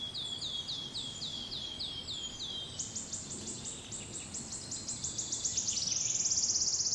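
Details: Wood warbler song in Brussels, Belgium, in June 2011: high, thin ticking notes speed up into a bright, shivering trill that ends on a sustained ringing high trill.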